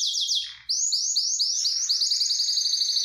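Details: Excited canary in mating mood singing a few sweeping notes, a brief pause, then quick repeated rising-falling high trill phrases that speed into a rapid rolling tour.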